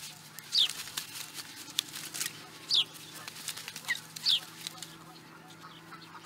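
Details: Osprey at Charlo, Montana, USA, in 2017: short, sharp, high whistled notes that slide downward, given singly at irregular gaps of one to two seconds, with a fainter lower note between them over a steady low hum.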